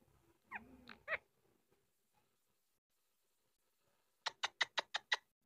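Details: A talking pet Indian ringneck parakeet gives a few quick, speech-like syllables in a reedy voice. After a pause comes a rapid run of six harsh, shrill squawks.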